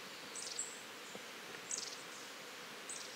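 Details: A long-tailed tit gives three short, thin, high buzzy "juri-juri" calls in a small voice, about every second and a bit, over a soft steady background hiss.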